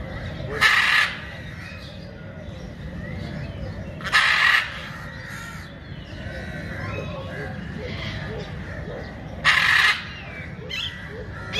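A blue-throated macaw gives three loud, harsh squawks spaced several seconds apart, with a low murmur of background noise between them.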